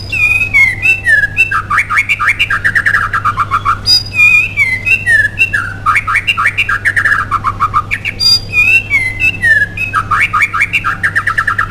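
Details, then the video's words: Gacor white-rumped shama singing as a lure to set other shamas singing: clear whistles and fast rolling bursts of notes that sweep up and down, phrases repeating every few seconds, with a constant low hum behind. "DENGAN CEPAT MURAI BATU ANDA AKAN EMOSI DAN IKUT GACOR DENGAN PANCINGAN INI"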